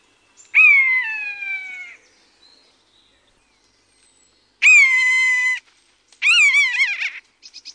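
Common Buzzard giving three drawn-out, mewing calls, each about a second long, falling slightly in pitch, the last one quavering and wavering; otherwise quiet.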